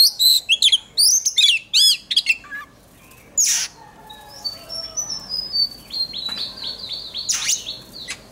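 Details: Oriental magpie-robin trained for singing contests: a rapid series of ringing whistled notes opens, then a sharp click and a softer run of repeated descending notes, ending with a few loud upslurred calls.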